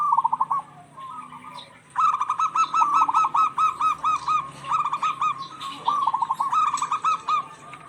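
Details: Zebra doves of the local type in a lively duet, meant to stir silent or stressed doves to sing: a short opening burst, a quiet gap, then long stuttering runs of mellow, evenly spaced cooing notes.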